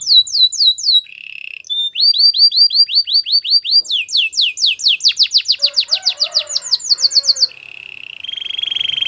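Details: A canary sings for song training, with repeated downslurred whistles, a brief low trill, an accelerating series of sharp sweeps, and a closing steady buzzy trill.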